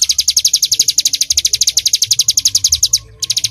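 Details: Bar-winged prinia, ciblek gunung, firing off 'nembak' song intended as a master for songbirds: quick high-pitched notes in a fast steady string, a brief gap near the end, then a few more.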